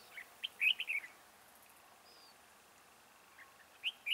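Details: Decoy red-whiskered bulbul singing high to draw wild birds toward a trap; a quick cluster of bright, warbling whistled notes early on, a long quiet gap, then two more sharp notes at the end.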